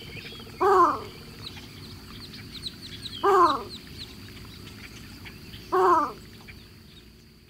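Three harsh, nasal, slightly falling calls from a Least Bittern, spaced about two and a half seconds apart, over faint chirps of other birds and a steady high insect hum.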